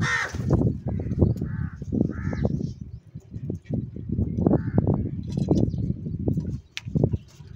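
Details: Crows feeding and squabbling: a loud caw at the start, then several softer harsh caws, all partly buried in heavy low-pitched thumping and rumbling noise.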